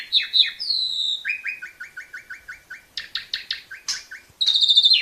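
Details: Song of an Asian pied starling used to teach young birds; two whistled slurs, then a steady series of about a dozen repeated chirps, a few harsh notes, and a closing high trill.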